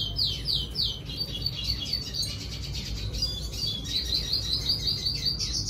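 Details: Red siskin in song: rapid, repeated high chirps and downward-slurred notes that merge into a busy trilled warble, over a low steady hum.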